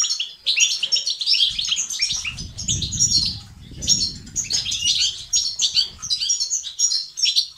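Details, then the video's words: Goldfinch song in 'tibtiba' and 'sitsat' styles for stimulating male activity: energetic high twittering in bursts with a short gap near the start, and a low flutter around the middle. "أقوى بتبتة وستستات للتحفيز الدكور الحسون وتساعده في زيادة النشاط وتحفيزهم على تغريد وعلاج صمت حسون"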